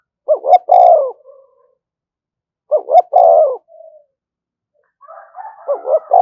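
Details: Provoking call of a spotted dove: a mellow low phrase of two short coos then a longer drawn coo, heard twice about two and a half seconds apart, a third phrase starting at the end, otherwise quiet.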